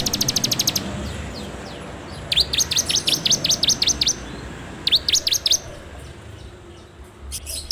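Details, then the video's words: Ciblek or bar-winged prinia song serving as a lure to train birds, 'ngebren' style, Android recording: a quick rattle, then evenly spaced high downslurred whistles about five per second, a second short series, against steady background noise. "PANCINGAN SUARA CIBLEK TERBAIK FULL NGEBREM RAPETT!!!"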